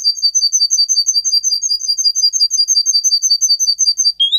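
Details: Song of a Russian singer canary, a singing breed, used for training other canaries: a rapid, high, regular trill of identical short notes, ending in a brief rising slur.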